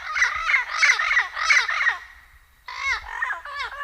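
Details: Turquoise-fronted amazon parrot uttering rapid, nasal, harmonic squawks in a chattering run. A brief pause follows, then another quick burst of bent, squeaky notes.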